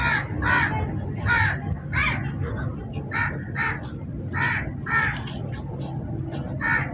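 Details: Crow giving harsh, raspy caws, roughly ten in seven seconds, some coming in quick pairs with short gaps between bursts, over a steady low background rumble.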